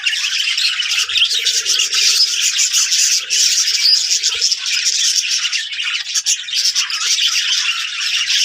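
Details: Budgerigar (Melopsittacus undulatus), flock chatter.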